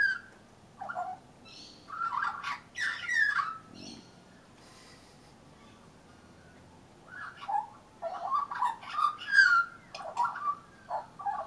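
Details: Young Australian magpie with leucism singing from a railing during lunch: bursts of warbled, slurred notes with some harsher higher elements, separated by a quiet gap of several seconds before a longer rich run of phrases.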